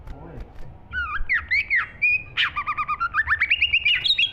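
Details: A green leafbird sings vigorously, starting with looping slurred whistles, then a buzzy burst followed by a fast, rhythmic series of rising whistled notes that climbs toward the end.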